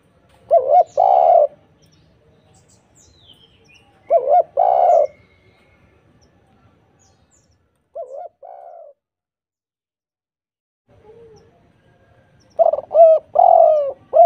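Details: Spotted dove song played as a lure to make other doves answer: phrases of low cooing notes repeated in bursts about every few seconds, with a faint softer coo between, quiet background.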